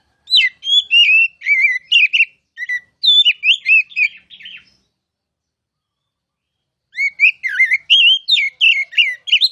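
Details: Oriental magpie-robin, known as kacer, singing masteran song in two bursts of rapid varied whistles, chirps and trills separated by about two seconds of silence.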